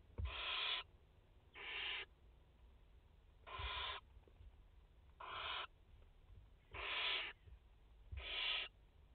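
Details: Barn owl mother with four chicks at the nest in France, 30 August 2021: six harsh, breathy hissing bursts, each under a second, spaced irregularly about every one to two seconds, with faint low rumble beneath.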